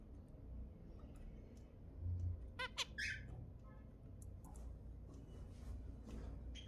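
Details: Kept zebra finches sing to encourage breeding. After a quiet start, a quick run of nasal, harmonic-rich notes arrives, followed by a few buzzy squeaks and softer scattered chirps over a steady low hum.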